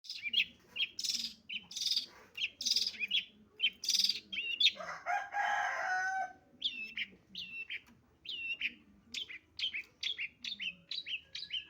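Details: Long-tailed shrike, used as a lure recording: harsh, scratchy bursts about twice a second, then a longer rasping chatter and quick, hooked whistled notes over a faint low hum.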